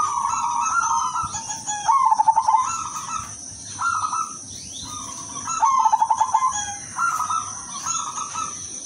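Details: Silver zebra dove, its song praised as melodious: short level coos alternate with trilled, rapidly pulsed phrases, the pattern returning about every four seconds over nearly nine seconds, with a continuous high hum behind.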